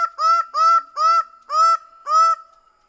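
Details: Greater bird-of-paradise in a quick series of five loud, harsh, honking notes, about two per second, ending in quiet.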